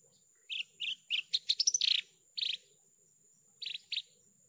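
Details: Singing Javan bush lark used as a lure recording: separate chirped notes, a fast jumbled burst, a buzzy slurred note, then two short rasping notes, with a steady thin high-pitched hum behind.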